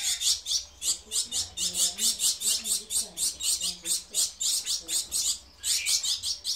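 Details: Gouldian finches kept for breeding, giving a steady stream of sharp, high, hissy chirps at roughly three per second, with a faint low murmur underneath.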